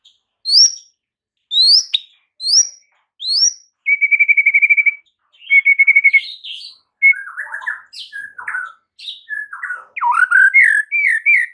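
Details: White-rumped shama master song for training caged birds that have stopped singing: four upward-sweeping whistles, then rapid stuttering notes on one pitch, followed by varied warbled and whistled phrases with sliding pitches, clean and loud.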